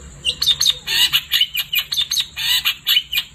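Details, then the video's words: Long-tailed shrike singing vigorously at night: a dense run of sharp chirps and harsh, noisy bursts roughly twice a second, over a steady thin high tone in the background. "Kicau Cendet Gacor Di Malam Hari"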